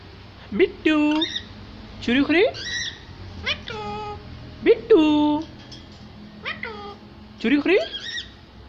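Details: Little parrot attempting speech, giving nasal, word-like syllables that open with a quick upward sweep and then hold steady, in clusters roughly every one to two seconds, with faint background hum.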